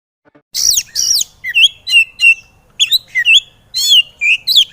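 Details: Agitated white-rumped shama, used as a training recording to make lazy birds sing: loud rapid varied phrases of harsh buzzy notes and clear whistled rising and falling slurs, in irregular bursts.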